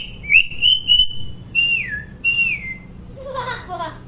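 Common hill myna giving loud, pure whistles: a rising, warbled phrase, then two downward-slurred whistles, ending in harsh, speech-like chatter. The setting sounds like a quiet room.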